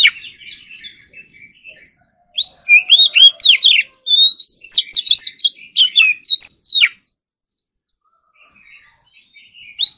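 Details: Oriental magpie-robin, a kept ornamental bird, practising its song in the morning in competition style. Soft twittering opens, then a loud rapid run of varied whistled slurs and sharp chirps lasting about four seconds, then faint notes.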